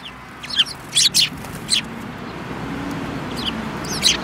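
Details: Sparrows in a group that includes a yellow-beaked bird, 5 February 2018, give bright high chirps, a quick double note and a few singles early on, then quieter, with a low hum beneath.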